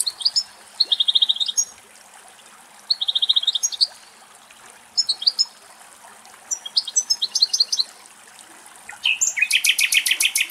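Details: Two male European goldfinches drinking from a running spring in a Greek forest: repeated short bursts of high tinkling, buzzy trilled notes, ending in a louder rapid twittering run, with faint flowing water beneath.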